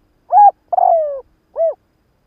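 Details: Single phrase from a decoy spotted dove calling in the morning to draw in wild doves: a short low coo, a longer sliding-down note, then a brief closing coo, on a clean quiet background.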